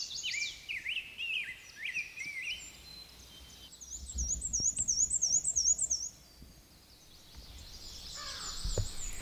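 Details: Black-and-white Warbler singing on breeding territory in Sax-Zim Bog on May 24, 2020, in spring: high, thin, repeated two-part notes in a quick regular series, rendered weesey weesey, with other high bird notes before and after.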